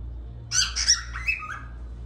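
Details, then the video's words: A young cockatiel chick in training to whistle; one short whistled phrase of several clear notes stepping downward, over a steady low hum. "تصفير كروان كوكتيل متدرب صغير فرخ"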